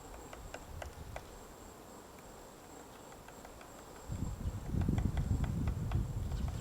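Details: White-backed woodpecker excavating a nest in a tree at Gongsanseong Fortress, Gongju, South Korea, on the morning of 22 March 2024: sharp, uneven chiselling taps several times a second, with low wind or handling rumble growing louder toward the end.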